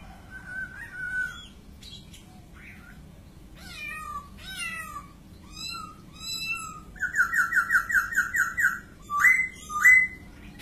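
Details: White-crested laughingthrush song: varied downslurred notes, then a fast rattling series of repeated notes and two loud upslurred whistles at the end.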